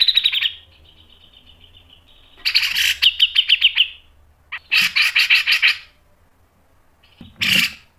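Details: Cucak jenggot, the grey-cheeked bulbul, giving masteran song of harsh chattering bursts: a short call, a rattling series ending in sharp pips, another dense rasping burst, and a final brief harsh note.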